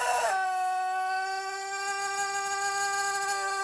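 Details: Cianjur Pelung chicken in a long crow: after a brief rising opening, one sustained, steady, harmonic-rich note carries on for over three seconds with little change in pitch.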